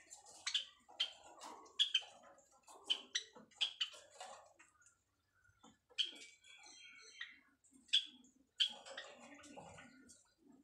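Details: White Java sparrow kept for breeding and now nest building, calling while nesting: sharp, high chips repeated irregularly in small clusters, separated by brief pauses, with faint rustling in between.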